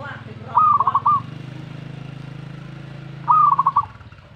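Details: Zebra dove reacting to a master recording with two stuttering coo phrases nearly three seconds apart. Each is a sliding note then quick rolling pulses. A steady low engine-like drone and background hiss run throughout.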